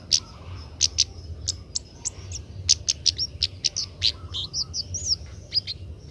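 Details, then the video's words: Young Oriental magpie-robin practising its song: a rapid, uneven series of sharp high chips and short whistled slurs, ending with a few quick looping notes, a soft low hum behind. "burung kemade muda belajar bunyi"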